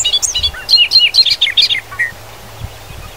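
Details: Grassland Bobolink in Wisconsin, a quick string of bright, bubbling notes lasting about two seconds, stepping up and down in pitch, then a single lower note and quiet field background.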